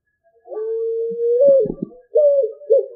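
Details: Picazuro pigeon song, used to attract birds for hunting: a long, steady, low hooting note that lifts slightly at the end, a brief low stutter, then two shorter hooted notes, in clean silence.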